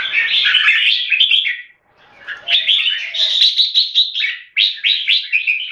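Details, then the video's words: Competition singing by caged red-whiskered bulbuls in Singapore: a loud, rich warbling phrase, a short quiet gap, then a long stream of rapid chirpy notes and slurred whistles that breaks off briefly before resuming. "สิงคโปร์เลี้ยง นกหัวจุก JAMBUL - CLASH OF THE TITANS"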